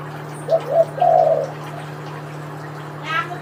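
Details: A tekukur, the spotted dove, from a comparison of local and Kelantan birds, delivers one three-note coo: two short soft notes, then a longer, fuller final note. A brief human voice follows, with a low background hum throughout.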